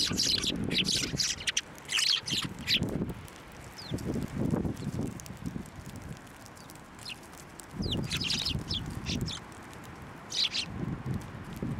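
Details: Sparrows gathering to be fed from the hand at a Tenmangu shrine, December 2023. Repeated high chirps mix with low rustling and bumping sounds that come and go in bursts throughout.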